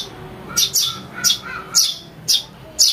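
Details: House sparrow chick calling, a recording used to lure birds: sharp, high chirps repeated roughly twice a second, each a bright burst with fainter tonal traces between them, in a quiet indoor setting.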